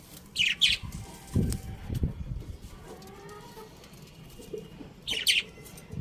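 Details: Budgies making a quick double chirp, shrill and scratchy, then quieter low knocks and murmurs before another pair of chirps near the end.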